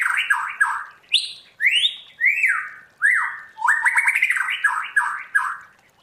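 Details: Forest-voice ("giọng rừng") song of a white-rumped shama in training: loud sweeping whistled notes, some sliding sharply up or down, alternate with quick rattling bursts and chattering runs, one phrase after another.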